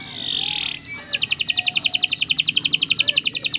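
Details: Canary song for training other birds, a long continuous performance: a brief harsh buzzy note, then a rapid even trill of bright high notes repeated almost four times a second.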